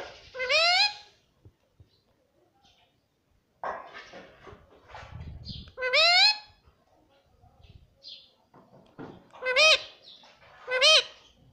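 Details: Indoor pet Indian ringneck parrot imitating household speech like mummy and papa. Several short, high, harmonic word-like calls are spaced across the recording, with quieter room noise and murmuring between them.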